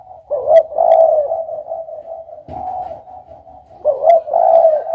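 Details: Spotted dove calling: two loud, rolling coo phrases about three and a half seconds apart, linked by a quieter, unbroken low coo tone.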